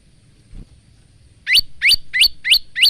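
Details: Male Bar-winged prinia singing actively in a varied voice, used as a training song for cage birds, recorded on a phone: after a quiet start, five sharp, rising, high chirped notes follow each other quickly at an even pace.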